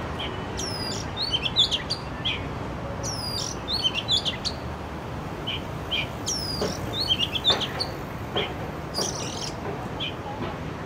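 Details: Urban Oriental magpie-robin song: varied phrases of sharp, high whistles and rapid downward sweeps, grouped in lively bursts every second or two, with constant low-pitched city noise underneath.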